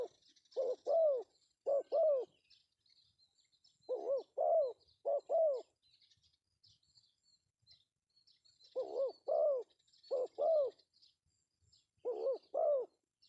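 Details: Male spotted dove, pesom call suited for luring. Double coos, a short note then a longer arched one, come in clusters of two or three pairs separated by gaps of several seconds. Faint high twittering continues throughout.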